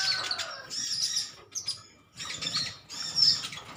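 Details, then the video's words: A group of metallic-greenish sunbirds, honey-eating birds, chirping together: dense bursts of very high twittering with brief pauses between flurries. "Koloni burung konin metalik ijoan saling adu nyrecet"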